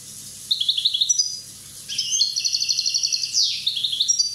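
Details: One-year-old Corsican European goldfinch singing a fast, tinkling twitter of high, bright notes, with rapid trills and buzzy slurred phrases running almost continuously; faint low hum in the background.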